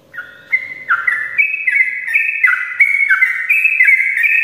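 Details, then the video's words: Sooty-headed bulbul morning song for coaxing reluctant bulbuls to sing. After a quiet start, ringing whistled notes hop between two pitch levels in a quick, even sequence. "ropelan panjang trucukan gacor pagi hari untuk pancingan trucuk malas ropel"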